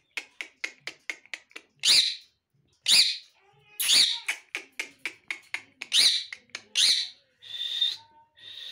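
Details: A pet ringneck parakeet mimicking speech: rapid clicking syllables mixed with louder, harsh, word-like bursts about once a second, then a drawn-out whistled phrase near the end.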